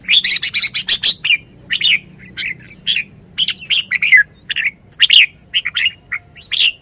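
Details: Caged red-whiskered bulbul kept as a decoy bird, singing bright, rapid phrases of whistled, chirping notes in quick bursts, with short pauses between the bursts.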